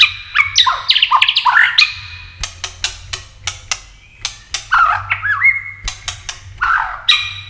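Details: Tail-flicking White-rumped shama delivering 'tạch' contest song to stir other birds to sing; opening cascade of swooping whistles, then a series of crisp clicks, a looping whistled phrase and more clicks.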